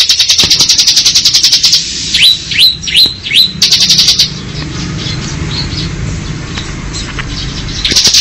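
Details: Bar-winged prinia performing ngebren song: a fast, high, rattling trill, then four separate upslurred whistled notes, another short burst of trill, a quiet pause with low background noise, and the trill resuming at the close.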